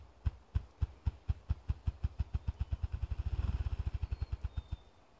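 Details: A ruffed grouse drums in Washington, New Hampshire: deep, muffled thumps that start about four per second and speed up into a rapid roll before trailing off.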